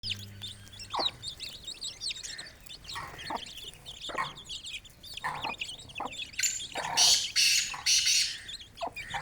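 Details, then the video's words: Aseel chicks feeding and playing beside their hen, free in an open village yard: a dense chorus of thin, high chirps, many overlapping and rising-falling, with scattered soft clucks and rustling thumps. "Aseel Hen & Chicks Feeding & Playing 🐔 || Happy Village Life || Cute Chirping Sounds"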